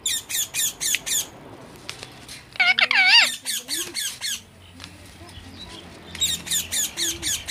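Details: Parrot calling with bursts of harsh, broadband squawks repeated rapidly in runs of four to six, a louder warbling squawk sequence in the middle, and quieter pauses between.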